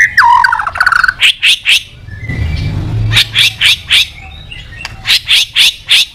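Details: White-rumped shama singing to call a rival: a descending whistled phrase, then bursts of three to four sharp, bright chips repeated in short groups, separated by a brief low rumble.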